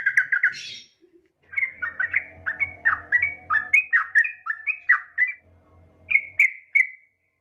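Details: Yellow-vented bulbul, a female calling to a male: quick chirps, then a long string of bubbly, wavering warbled notes over a low steady hum, ending with three clear notes.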